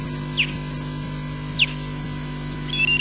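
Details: Osprey at RSPB Loch Garten, Scotland, possibly the bird Breagh giving an alarm call like Odin's: two sharp, high, whistled chirps about a second apart, then a thinner rising whistle, over a steady low electrical hum.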